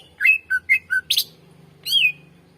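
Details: Greater green leafbird singing, a recording meant to lure and tutor other birds: a short series of clear falling whistles, a harsh burst, then a long slurred whistle over a low background hum.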